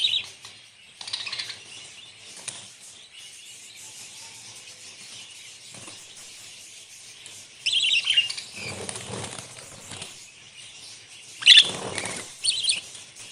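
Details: Budgerigars (Melopsittacus undulatus) on a farm giving high, scratchy chirps and warbles in short bursts, with wing flutters.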